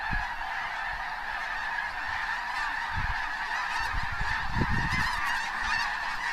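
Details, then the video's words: Hundreds of wild snow geese lifting into flight from cornfields at Bosque del Apache wildlife preserve just before sunset in January 2014: a dense, unbroken wall of overlapping squawks and honks, with low rumbling underneath. "The "squawking" sound is from the geese"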